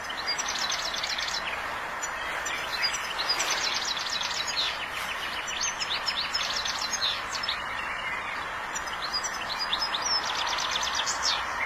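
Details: Wild European goldfinch singing: high, tinkling twitters and quick liquid trills in short bursts, over a steady loud rushing background noise.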